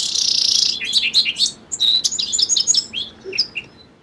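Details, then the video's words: A song sparrow's song opens on a dense buzzy trill and breaks into rapid sweet notes and twittering chirps, some high and thin, trailing off into scattered single notes. "Song Sparrow Bird Sound"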